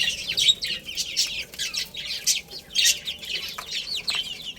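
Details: Chicken chicks chirping as they play and eat, loud clustered bursts of shrill descending peeps arriving in waves about every half second over a softer background chorus.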